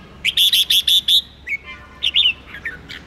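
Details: Red-whiskered bulbul song played to spur contest birds: a rapid series of six loud, clear whistled notes, then softer scattered chirps and a short two-note warble, with faint lower tones underneath.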